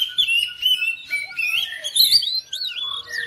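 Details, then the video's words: A house-kept oriental magpie-robin responding to another bird sings a continuous medley of clear whistles, slurred glides and chirps, with a lower whistled line running beneath the main phrases. "KACER RUMAHAN RESPON NYAUT IKUT GACOR"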